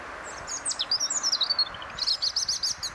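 A European robin sings two quick, high phrases of thin, tumbling notes and twittering trills, separated by a short pause, over a steady soft background hiss.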